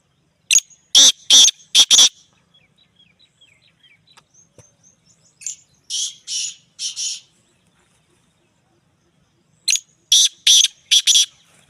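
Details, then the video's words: Black francolin singing in Punjab: three loud phrases of harsh, grating, rasping notes, four or five per phrase, given a few seconds apart, with quiet gaps between them and a clean background. "Black Teetar birds Beautiful Singing"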